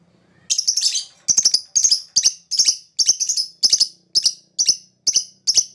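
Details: Lovebird chatter used to lure other birds into answering: eleven clustered bursts of shrill, scratchy notes, each about a third of a second long, coming roughly twice per second.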